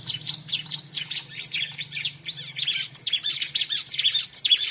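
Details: Bar-winged prinia song used for luring birds: a dense, unbroken stream of high, buzzy chirps repeated about twice a second, with a low steady hum beneath.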